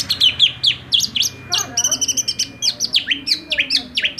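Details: Greater green leafbird in agitated song for training: dense, continuous stream of sharp chirps and clear whistles, many notes dropping in pitch, delivered several per second, with a brief rough burst in the middle.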